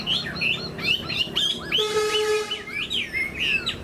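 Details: Caged tame Chinese hwamei with spread tail and eagle-style wing display sings rapid whistled slurs, briefly overlaid by a steady humming mechanical tone, then continues with falling whistles.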